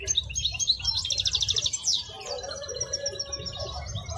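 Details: High, tinkling goldfinch song from a wild-caught European goldfinch at Al-Qurai'a bird market: a dense buzzy trill, then sparser sweet chirps, with faint crowd murmur underneath.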